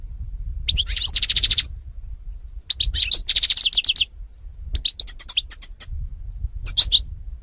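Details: 2018 recording of a European goldfinch (Carduelis carduelis) singing loud phrases of bright chirps that run into buzzy, pulsed trills, repeated roughly every two seconds with short silences between.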